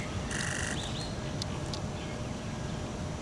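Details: A superb starling, recorded 18 August 2022, gives one harsh, buzzy note, then two quick rising whistles and a few sharp clicks, over a steady low rumble.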